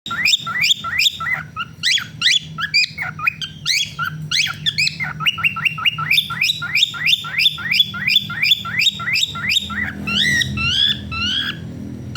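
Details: Male cockatiels, singing actively in cold weather, whistle lively songs of quick, rising notes repeated in a busy, continuous stream.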